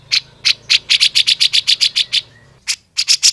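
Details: Grey-cheeked bulbul in a songbird training recording, singing vigorously: rapid high, sharp chirped notes repeated about four times a second, a short pause, then more quick chirps.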